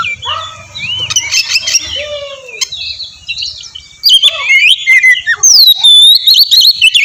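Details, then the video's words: Lure song of an oriental magpie-robin meant to make other magpie-robins reply: a soft, varied warble at first, then a loud burst of sharp chips, slurred whistles and buzzy notes. "suara pancingan burung kacer ampuh!! buat pancingan kacer bahan dijamin langsung nyaut"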